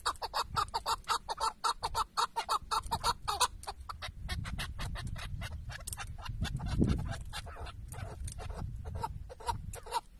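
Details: Chukar partridge calling as a tethered decoy during a partridge hunt in Şırnak, Turkey: rapid, uneven run of harsh clucking notes, dense at first, then spaced chuck notes over low rumbling wind noise.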